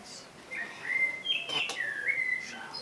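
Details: A common blackbird's fluty whistled notes run almost unbroken, wavering and sliding slightly up and down in mid pitch, with a brief brighter burst in the middle.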